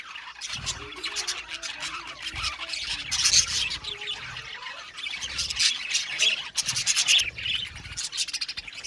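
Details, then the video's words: Budgies in an aviary colony give a steady stream of high, scratchy chirps and warbles, with brief louder bursts of clustered notes at intervals. "Parakeet sound | budgies singing and chirping sounds"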